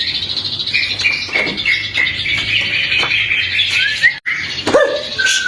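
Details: White-rumped shama song used as a morning and afternoon lure for other shamas; a string of short whistled notes over a steady high buzz, ending with upward flicks and a low note.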